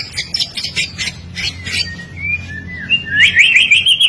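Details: White-rumped shama singing, used as a model song for training birds: quick bursts of high chirps, then long sliding whistles and a loud warbled trill at the end over a low hum.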